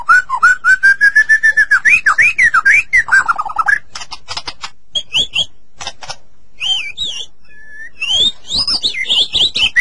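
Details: Long white-rumped shama song used to make captive shamas sing: a rapid pulsed trill of wavering notes, harsh bursts, then looping clear whistles.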